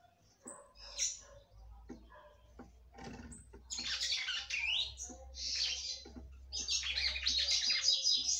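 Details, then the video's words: Female red-cowled cardinal singing to stimulate the male; scattered quiet chips and clicks at first, then loud bursts of high, buzzy, twittering song growing denser toward the end, over a low steady hum. "FÊMEA DE GALO DE CAMPINA CANTANDO MUITO PRA FOGUEAR SEU CAMPINA"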